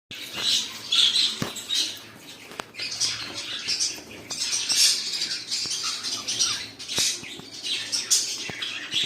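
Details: Kept cockatiels chattering together in a dense, overlapping stream of scratchy, high squawks and chirps, with brief wing flutters and sharp clicks between bursts.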